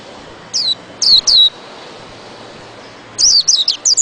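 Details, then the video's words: High, bright, falling chirps from a white-eye: three quick notes, a pause of nearly two seconds, then a tight burst of five rapid chirps; quiet background. "Burung pleci"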